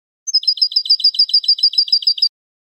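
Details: A European goldfinch sings a brisk sequence of roughly fourteen clear, high twittering notes, the first slightly higher, the rest evenly repeated and ringing, with nothing else audible.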